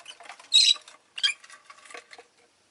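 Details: Pet rosy-faced lovebirds calling actively on a day when all of them were fairly vocal; a loud harsh shrill chirp followed by a shorter one, then quieter scratchy twitters and faint clicking.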